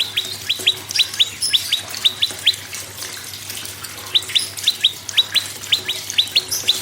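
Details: Prinia singing, used as a prompt for silent birds: bright upward-flicked notes in doubled bursts, a pause near the middle, then another run of paired chips, with constant background hiss.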